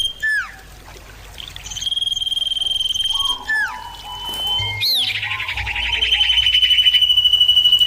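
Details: Clear, loud common iora exchange: hooked descending whistles, steady high whistled notes and a lower whistled line, then a rising sweep into a long fast trill that continues to the end.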